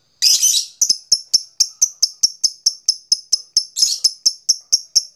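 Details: Ngekek long chatter from a lovebird, played to stimulate other lovebirds to call: a rough burst, then a rapid, even string of clipped, piercing high ticks at about four per second, with a second harsh burst near the end.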